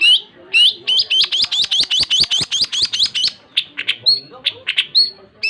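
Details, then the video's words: Long-tailed shrike in lively song: a rapid, rhythmic chain of about sixteen sharp, rising chirps, then a looser mix of scratchy and whistled notes. "Suara burung cendet gacor"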